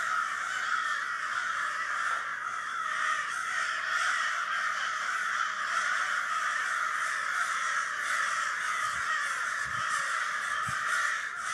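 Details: Birds at APNB in a noisy flock, a racket of countless overlapping raucous calls merging into an unbroken, even wall of sound, with a few faint low thumps near the end.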